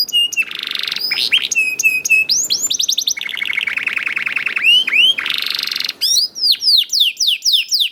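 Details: Young canary lure song to set other canaries singing, in 'ngedur' continuous style: whistled notes, buzzy rolls and fast trills, finishing with evenly spaced falling chirps.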